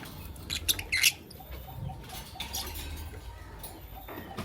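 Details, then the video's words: Lovebirds, Fischer's and masked, in the morning: a quick cluster of sharp, high chirps near the start, then quieter scattered ticks and rustling against a low background hum. "LoveBird Chirping Sound - Lovebirds Fischer & Lovebirds Personata"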